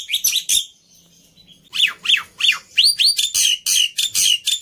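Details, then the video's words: Black-winged myna, an overexcited fighter bird used as tutor audio for training silent starlings, giving harsh, high chattering notes and rising whistled sweeps in quick bursts, broken by a short pause. "Burung Jalak Putih fighter Emosi Nya kelewatan || Cocok Untuk Masteran Jalak Bisu"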